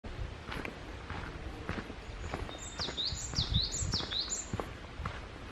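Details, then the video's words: Wild bird singing on Yeongjangsan mountain in Bundang, South Korea: a run of high, thin, sharply downslurred notes repeated rapidly, over steady outdoor background noise and faint rustling. "새소리 (birdcall)"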